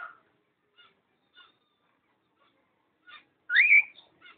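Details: A pair of cockatiels recorded 05.06.11, with faint spaced chirps and one loud whistled note rising steeply then levelling off, followed by a few quieter chips.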